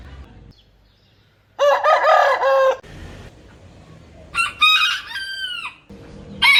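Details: Roosters crowing in turn, a loud wavering crow followed by a higher crow with descending whistled ends, with background hiss between them.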